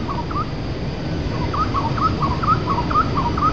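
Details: A pair of Yellow-vented bulbuls sing together and call for a mate in a park: quick, bubbly mid-pitched chirps, about two a second, over a steady low rumble.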